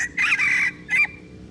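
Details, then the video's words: Aceh red junglefowl lure recording for luring birds: a harsh drawn-out crowing phrase of about half a second, followed by one short rasping burst, over a low background hum. "Pikat ayam hutan aceh"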